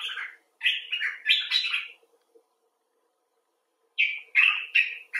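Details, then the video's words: Common bulbul chattering in two bursts: a quick series of bright slurred notes, a silence of about two seconds, then another short run of similar chirps. "Bulbul Talk: The Common Bulbul (Pycnonotus barbatus)"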